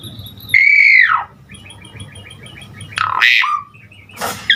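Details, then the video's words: Vigorous Asian pied starling song packed with varied phrases for spurring other starlings: a loud arched whistle falling away, soft rapid ticking notes, then harsh rising squawks and a brief burst, with a steady low hum behind. "Suara Jalak Suren GACOR Full Isian Buat Pancingan Segala Jenis Burung Jalak Agar Cepat GACOR Isian"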